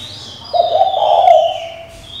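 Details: Spotted dove hen calling for a male to rouse a decoy bird: a single low, rough coo, rising slightly and held about a second, over a steady thin high whistle from another bird.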